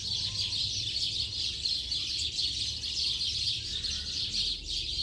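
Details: Many house sparrows chirp at once in late afternoon, making a thick, rustling din of sharp tweets that never lets up, over a low steady hum.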